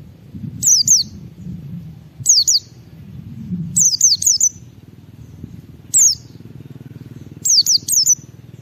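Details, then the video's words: Pleci white-eye in lively song meant to make other white-eyes sing along: high, quick, swooping double and triple notes in short bursts about every one to two seconds, steady low hum behind. "Suara Burung Pleci Gacor membuat Semua Pleci langsung ngalas"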